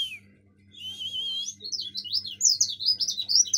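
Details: Bali Javan white-eye in ngomel song: a short falling note, a sustained buzzy trill, then a quick run of high, slurred chattering notes that rise and fall, with a faint low hum behind.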